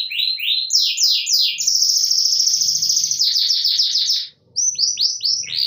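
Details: Canaries answering each other, a bright, rapid song of repeated rising sweeps and a rolling trill, played as a lure to provoke a rival canary into singing; tags mention a female canary calling a male.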